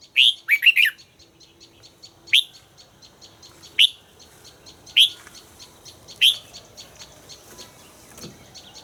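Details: Red-whiskered bulbul in voice training giving a quick cluster of bright whistled notes, then single sharp chirps roughly every second and a half, over faint background hiss.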